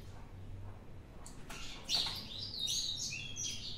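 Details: Singing ultramarine grosbeak from a bird challenge; after a low hum and a couple of sharp clicks, a bright warbling song begins, with quick whistled slides and jumps between high notes running to the end.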